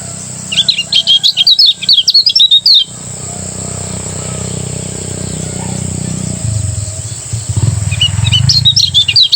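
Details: Morning song in ngejos style by a Lombok lemon-bellied white-eye: a quick stream of high, bouncy chirps, a long stretch of low rumbling background noise, then the twittering restarts at the end.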